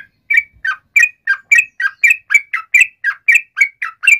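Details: Sooty-headed bulbul singing as a lure for other bulbuls to answer: fast steady series of short bubbly two-part notes, alternating higher and lower, about three per second.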